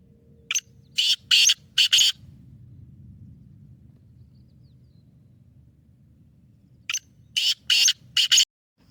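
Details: Black francolin (kala teetar) delivering its loud, harsh, rasping call. Two phrases of four grating bursts each are separated by about five seconds of quiet low hum. The bird is described as a fast caller, twelve calls per minute, with a pure nasal style.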